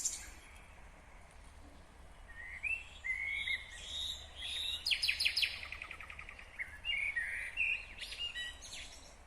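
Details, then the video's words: Nightingale singing in Kyrgyzstan in 2020: varied phrases of clear whistles near the middle range, then a burst of rapid repeated sharp notes and buzzy rattles, set against a steady low background hum. "Незабываемое Пение соловья / Chill out Nightingale Singing / Булбул уну / Булбул овози"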